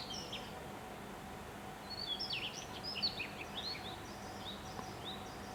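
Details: Daurian redstart singing from fresh green treetops in Yamanashi, Japan, on 26 May: a quiet, quick warbled phrase of high twittering notes, heard over steady low background noise.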